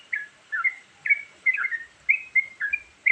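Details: Short excerpt of the sooty-headed bulbul's varied lure song, with bright, slurred whistle pairs about every half second over a steady background hiss.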